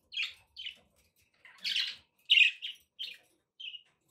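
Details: Pet budgerigars calling indoors: a string of short chirping and squawky notes, some with a slight rising inflection, spaced irregularly with brief silent gaps.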